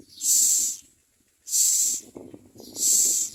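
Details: Common myna chicks screaming for food while being fed: three harsh, hissing screeches, each about half a second long, spaced roughly a second apart, with soft low rustling between them.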